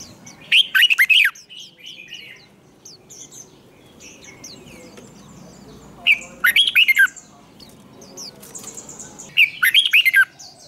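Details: Red-whiskered bulbul lure bird in competition singing, used to train other bulbuls, with the long twisting 'giọng xoắn' voice; three loud bursts of rapid, bright warbled whistles, roughly five seconds apart, with quiet chirps between them.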